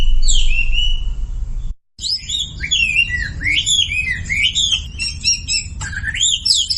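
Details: Sumatran leafbird song meant as a lure for silent birds: a swooping whistle, a short silent break, then fast looping warbled phrases and chirps about four per second.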